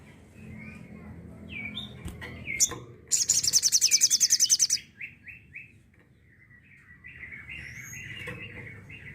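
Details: Crimson sunbird 'tembakan' song: sharp high chips, then a dense, fast, high trill of about two seconds, followed by quick falling whistles and a quieter chattering twitter. Faint background murmur.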